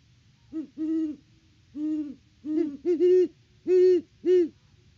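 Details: Great horned owls, a mated pair, hoot together at the nest on a Peabody, Kansas farm in October 2023; about eight deep, booming hoots at irregular spacing, two voices overlapping midway.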